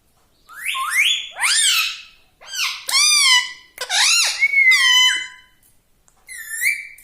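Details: Pet parrot talking in a string of six squeaky, word-like syllables with rapid up-and-down pitch bends, delivered in quick bursts over several seconds.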